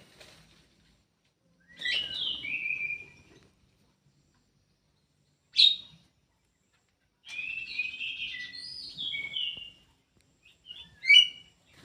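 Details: Kidangan kaso kaso bird housed in a conservation aviary, producing separate phrases of descending whistles, a single sharp high note, then a longer warbling phrase and a final sharp burst, with silence between them.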